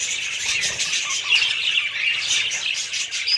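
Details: Budgerigars keep up constant high-pitched twittering, a bright scratchy chorus of many overlapping chirps.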